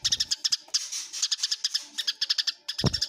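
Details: A short burst of Eurasian tree sparrows fighting: quick, high, buzzy chirps packed closely together, ending with a low thump.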